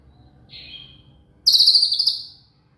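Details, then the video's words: Shama (murai) voice for tutoring a cililin: a soft high whistle followed by an intense, rapidly pulsed buzzy trill lasting about a second, trailing off quietly. "BONGKAR ISIAN CILILIN Dengan SUARA MURAI INI"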